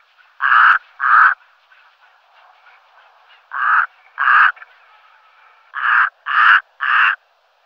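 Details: Brown-necked raven giving seven harsh, raspy caws: a pair, a pause, another pair, then three in quick succession, each short and rough over a quiet background.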